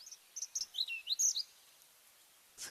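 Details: Whinchat, recorded by farm bioacoustic monitoring in semi-improved grassland and upland woodland, gives a brisk, scratchy phrase of high chirps and short warbled notes over about a second; tree pipit, cuckoo and willow warbler also present.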